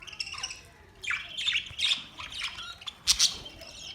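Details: Budgerigars chirping together: scattered bursts of harsh, scratchy squawks and chirps with quiet gaps between, several sharp loud notes near the end.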